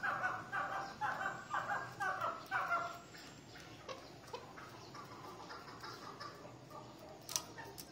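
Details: Fighting chukar partridges giving a loud series of harsh, rhythmic chuck notes, about two per second, for three seconds, fading into faint scattered clucks and background noise.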